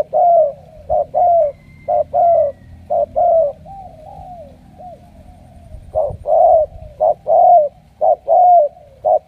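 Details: Loud spotted dove cooing from a wild-caught bird picked for heavy cooing, bound for Hải Dương, Vietnam: clipped low notes alternate with longer slurred coos in steady runs, with a softer pause midway.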